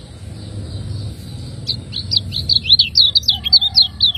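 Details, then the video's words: Lombok lemon-bellied white-eye kept as a cage bird, giving ciak ngejos song as training material. After a hushed start, a lively train of high, swooping chirps comes roughly four times a second. "ciakngejos|Masteran burung kecial kuning"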